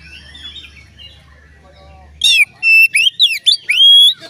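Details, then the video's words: Oriental magpie-robin song to make other magpie-robins sing: soft distant warbling first, then a loud run of sharp rising whistles and slurred notes over the last two seconds. "dijamin Kacer lain ikut bunyi"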